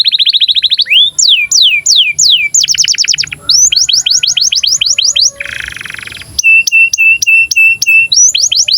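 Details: Canary song in breeding condition for teaching young canaries to sing and roll. Quick trills and falling whistles alternate, a brief harsh buzzy patch interrupts, then evenly repeated flat notes return.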